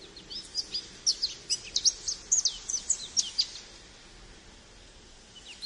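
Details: American goldfinch singing a rambling series of high, quick twittering notes and short slurred whistles over steady background hiss, fading out after about three and a half seconds.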